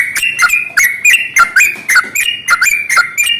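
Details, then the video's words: Loud, close yellow-vented bulbul pouring out its long rolling morning song, used to provoke rival bulbuls into song: rapid, bright chirps with sharp attacks and falling slurs, nearly continuous. "SUARA trucukan ROPEL PANJANG pagi hari | Rajanya bikin trucukan lain gacor"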